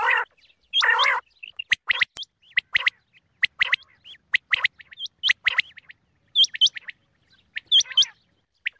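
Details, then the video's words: Morning calling from quail: one rough, harmonic note, then scattered short, sharp, upward-flicking whistled chips, some paired, with gaps of silence between them. "batair ki log wali awaz| بٹیر کی صبح لگ والی بہترین آواز"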